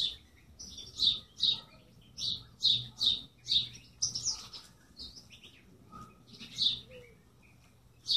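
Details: Steady series of bright high chirps, roughly two per second, then a pause and a few scattered notes, against a soft low hum.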